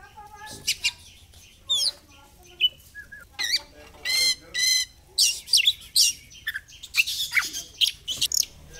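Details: Oriental magpie-robin singing as a lure to make it spread its tail: varied mix of whistles, buzzy rattling notes and sharp high chips in quick bursts.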